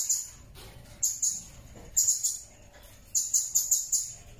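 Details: A blue-crowned hanging parrot repeats thin, very high tsee notes in uneven bursts, the last burst a run of five quick notes, against a quiet hiss.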